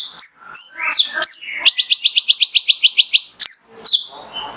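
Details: Mangrove whistler (konin) song used to stimulate other birds to sing: loud high whistled slurs, then a rapid run of about fifteen sharp identical notes at roughly seven per second, ending in descending sliding whistles.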